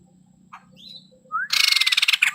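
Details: Male white-crested laughingthrush giving a faint short whistle, then a rising whistled note leading into a loud, dense, harsh chattering burst.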